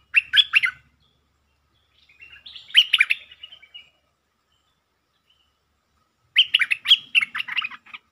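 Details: Stripe-throated bulbul, a territorial resident bird provoked into 'sap rik' lure song: three lively bursts of rapid, gurgling notes spaced a few seconds apart, the last one longest and rolling.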